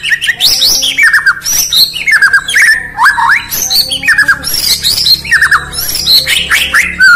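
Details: White-rumped shama (Murai Batu), a bird from Indonesia, singing in the morning: rich, nearly continuous song of loud whistled notes with quick rising and falling slurs, some high and sharp, some lower and mellow, over a faint low hum.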